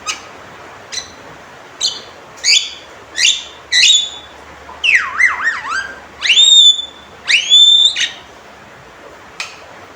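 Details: Male Javan myna giving loud, sharp calls: short clicks followed by harsh upslurred whistles and rapid wavering notes, a tinny squealing whistle with downward-bending tail repeated twice near the end, clear and dominant over a quiet background.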